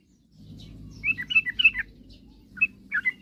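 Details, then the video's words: Yellow-vented bulbul singing to provoke rival birds into singing. A short cluster of bubbly chirps is followed by a pause, then two more brief notes over steady low background noise. "suara kicauan trucukan gacor..paling jago memancing lawan agar cepat bunyi"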